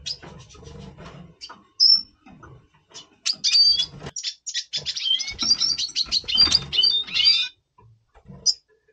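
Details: Red siskin, a double pastel colour bird, singing before breeding in November 2023: a busy stream of high twittering notes, sharp chips and short whistled slurs, denser in the second half, with low background hum.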